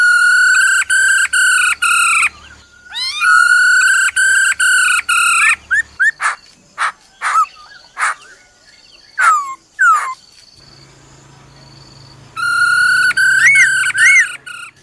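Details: Female laughingthrush's "ro ro" call to stir up a male: loud pulsed harmonic phrases repeated in blocks, separated by sharp clicks, upslurred whistles and short raspy notes, with a faint low hum at times.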